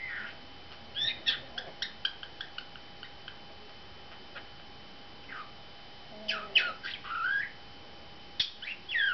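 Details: A male pet budgerigar, talking since three months old, chatters in quick, scratchy squawks and warbled whistles, its typical talking voice.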